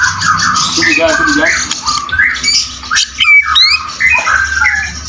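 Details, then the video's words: Caged White-rumped shama in full fighter song, a dense mix of buzzy, rasping phrases and slurred whistles with sharp upward-sweeping notes, loud and continuous throughout. "Murai Batu Full fighter materi mewah"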